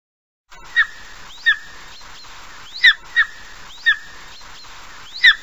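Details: Repeated thin, piercing yelps of a golden eagle, six calls in about five seconds at uneven intervals, each a quick downward slur with a soft rising lead-in, over a low constant hiss.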